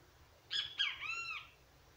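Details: Single loud great kiskadee phrase: two clipped bright notes followed by a sustained, bending note with strong harmonics, over a faint low hum.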